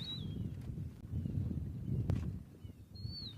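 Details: Rufous-naped lark calling on 30 January 2023: a thin whistled phrase that slides downward, heard at the start and again near the end, over steady low wind rumble.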